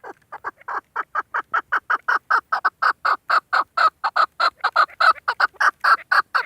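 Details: Female chukar partridge kept for hunting, calling. Soft, spaced chuk notes build into a quicker, louder, insistent series of harsh clucks that keeps going to the end.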